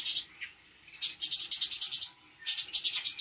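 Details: Spotted cucak cungkok in Bandung, trained with copied songs of Parkit, Srindit and others; rapid high buzzy trills of fast pulsed notes in two bursts separated by a short pause.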